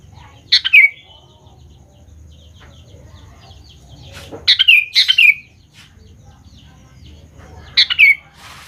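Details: Sooty-headed bulbul song played as a lure so young bulbuls respond: bright bubbling phrases with falling slurs, given three times, with faint chirps filling the gaps over a low background drone.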